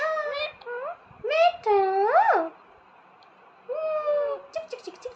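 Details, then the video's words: A talking parrot producing a few speech-like vocal phrases with rising and falling tonal sweeps, in short bursts separated by brief pauses, in a quiet indoor setting. "Talking Parrot"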